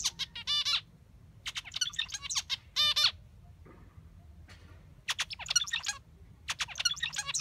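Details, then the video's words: Zebra finch song: bursts of harsh, nasal, buzzy notes mixed with clicks and rapid stuttering, in phrases about a second long with short pauses between, its peculiar song. "DIAMANTE MANDARÍN (ZEBRA FINCH) Y su peculiar canto"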